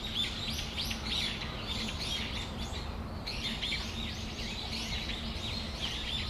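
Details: Several Brown-eared bulbuls on a December afternoon in Tamagawadai Park, giving busy, overlapping shrill chirps and downslurred squeals with a brief pause near the middle, against a low steady hum.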